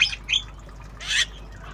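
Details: Javan myna, tame and learning sounds in obyogan style, uttering two brief squeaky notes followed by a loud harsh rasp.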